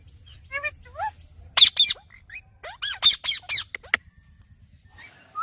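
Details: Ringneck parrot: a few soft upward notes, then a cluster of piercing, high squawks in quick succession, fading to faint chatter at the end.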